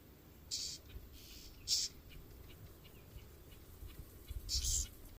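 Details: A young Whinchat gives three short, hissy, high-pitched begging calls, about one to three seconds apart, with fainter ticks between them over a low rumble of wind.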